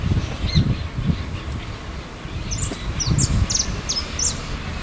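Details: Cattle tyrant by the Paraná River, foraging along the shore. It gives a quick series of about seven thin, very high, clipped notes in the second half. A steady low rumble of wind or water runs underneath.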